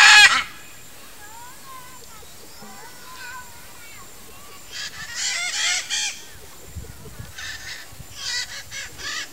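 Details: Ara ararauna pair, blue-and-yellow macaws, caring for their nest among trees; a brief loud squawk opens, then soft wavering notes, later two clusters of rough, raspy calls.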